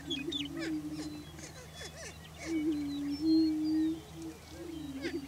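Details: Several greater prairie chickens on a Kansas lek in Washington County, displaying for breeding territory; steady low booming hum runs through, broken by quick upswept whoops and clucks, with scattered high chirps from other birds.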